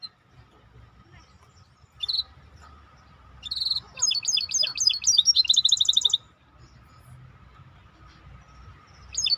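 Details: Maestro bird singing: after a lone high chirp, a fast run of bright, repeated rising whistled notes and rolling trills lasting about three seconds, over a steady low hum and faint background noise.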